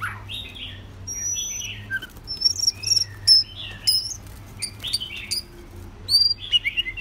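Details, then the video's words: White-rumped shama, a long-tailed bird, singing: varied phrases of slurred whistles, high pure notes and rapid sharp chips in irregular bursts, over a constant low hum. "White Rumped Shama"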